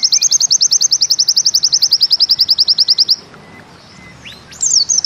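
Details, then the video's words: Bustomi white-eye firing a 'ziperrr' zipper song: a steady three-second run of about thirty rapid, evenly spaced high notes, then a short pause, a few thin slurred whistles and a fresh burst. "Bustomi NEmbak Ziperrr Mudah DI Tiru"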